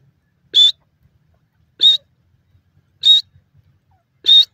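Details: Francolin (teetar) in grassland: four loud, shrill whistled notes, each short and nearly level with a slight upturn, given about every 1.2 seconds against a quiet background.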